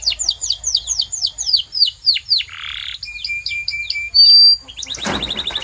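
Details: Canary singing to prompt other canaries: repeated falling swoops, a soft low rolled section, lower clipped notes, a sharp piercing whistle, then a burst of broadband rattle.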